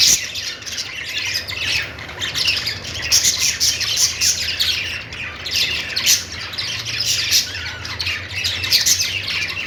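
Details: Happy budgerigar chirping: continuous, lively warbled chatter with many quick high tweets and harsher squawks layered over each other.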